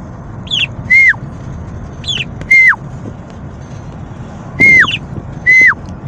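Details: A budgerigar in a car gives short clear whistles that drop in pitch, mixed with brief higher chirps, over a low rumble.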